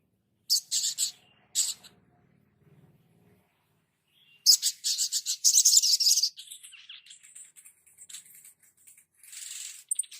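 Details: Sunbird song from a master recording used to train birds: short bursts of high, thin chirps, then a dense run of sharp, buzzy twittering notes, with fainter high trills fading out near the end.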